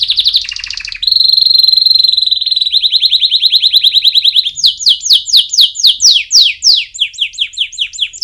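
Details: Canary song meant for training chicks: loud, clear trills held on one pitch, then a long series of quick downward-sweeping whistled notes repeated about three times a second.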